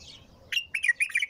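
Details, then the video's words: Bulbul singing without pause: a brisk run of four bubbly notes in quick succession, preceded by faint high chirping. "تغريد بلبل طور بدون توقف"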